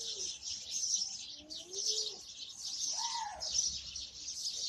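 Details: House sparrows chirping together: a dense, continuous chatter of high, overlapping chirps throughout, with a few lower, curved sounds underneath.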